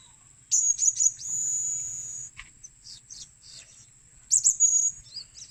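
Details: Lure calls of a blue-crowned hanging parrot: a rapid run of sharp, very high chirps, then scattered faint notes, and a second quick burst of squeaky twitters near the end, all over a steady thin whine.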